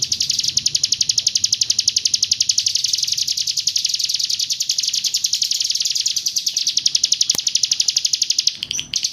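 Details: 'Roll tembak' song of a Hill prinia from East Java: rapid, high, piercing notes repeated nearly four times a second in an even, relentless run, with a faint click and a brief rustle toward the close.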